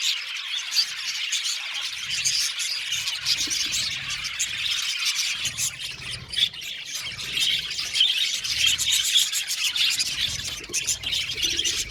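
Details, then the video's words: Aviary colony of roughly 70 budgie pairs: a constant wall of twittering, squeaky chirps and scratchy chatter from many birds at once, with faint low rumbling beneath. "Beautiful Budgies chirping sound"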